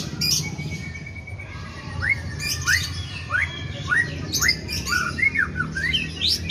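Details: White-rumped shama singing mimicked sooty-headed bulbul phrases: a string of short rising whistled slurs repeated about every half second, broken by sharp high clicking bursts; steady low rumble in the background.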